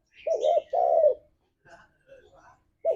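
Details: Spotted dove, a lure recording meant to make pet doves sing in the forest-like 'ngalas' style: two loud, deep, hoarse coos, then faint softer notes and another coo starting at the end.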